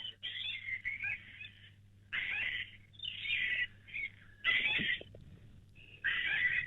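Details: A flock of gang-gang cockatoos, a common call around Canberra, gives harsh, creaky, grating calls in bursts about a second long, one after another, with a low hum behind.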